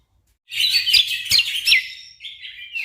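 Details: Orange-spotted bulbul song recorded as tutor material for competition birds: after brief silence, a rich burst of rapid, high twittering whistles with quick flourishes, then a softer, lower warbled tail.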